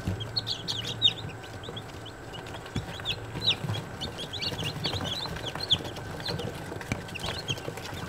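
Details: Several day-old Australorp chicks peeping together, with many short high chirps overlapping at irregular intervals over a steady hum and low background noise.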